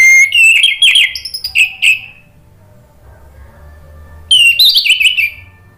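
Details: Orange-headed thrush singing, played to provoke a reluctant kept bird to answer: loud mixed whistles and scratchy trills, a pause of about two seconds, then another rich, warbled burst.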